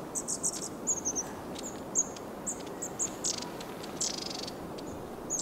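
Long-tailed tits give thin, very high see-see notes mixed with short buzzy, rattling bursts every second or so, over a steady low background rush.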